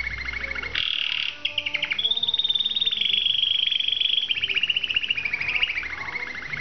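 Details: Canary song opening with a short bright burst, followed by a long, fast, pulsing roll that wavers slightly in pitch and continues without a break.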